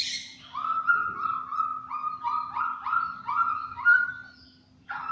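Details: Murai batu, the white-rumped shama, a champion bird, repeating a mid-pitched whistled note about three times a second in rapid succession, then a short pause and one more note, in tembakan cililin style.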